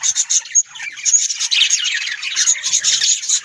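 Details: Pet budgerigars, several birds together, pour out busy warbling chatter, a continuous mix of raspy squawks and thin high chirps with no pauses.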